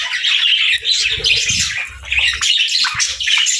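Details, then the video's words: Pet budgies, happy and chirping, give a lively burst of scratchy high warbles and quick squeaky notes in close succession, with soft low bumps beneath. "Budgie Chirping Sounds: Happy Birds"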